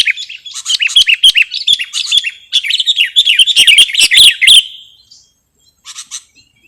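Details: Sooty-headed bulbul, recorded for luring or tutoring birds, pours out dense excited chattering: fast buzzy-edged warbled notes for about four and a half seconds, then a pause and a few soft chirps.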